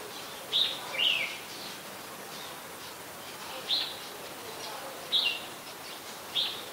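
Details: Adult red-whiskered bulbul recorded on 3 January 2021 at Ubon Ratchathani, Thailand: short bright chirpy phrases, some slurred downward, given in scattered bursts about every one to two seconds over a steady soft background hiss.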